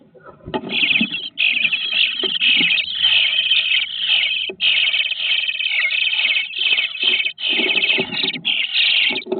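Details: Nestling bluebirds, day 18, in a nest box keep up an almost unbroken chorus of harsh, hissing begging rasps, broken only by brief pauses, with faint rustling beneath.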